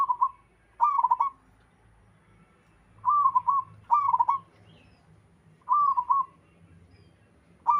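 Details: Local zebra dove, singing as other doves reply: short rolling coo phrases repeated at uneven intervals, about six in all, each a soft burry trill on a steady low pitch.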